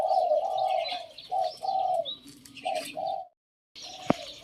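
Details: A Spotted Dove used as a decoy coos in a phrase said to be not pretty: steady low coo notes in short runs, then sudden silence and a single sharp click, with high chirping of other birds throughout.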